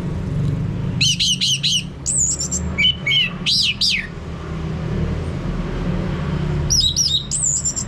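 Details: Orange-headed thrush song used as a lure to make a male sing openly ('ngeplong'), from North Bali: quick bursts of clear, slurred whistled notes, some rising and falling steeply, with pauses between, over a steady low rumble.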